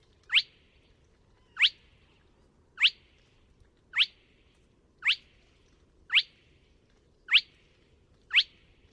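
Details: Spotted crake at Neda, A Coruña, 24 March 2017, repeating a sharp whip-like rising whistle eight times at a steady pace of about one note per second, with faint low hum beneath.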